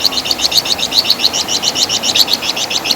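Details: Loud chattering crecetan of the flamboyan bird, or Wergan Jawa: an unbroken, even series of sharp high chip notes, roughly seven per second, over a constant soft background hiss.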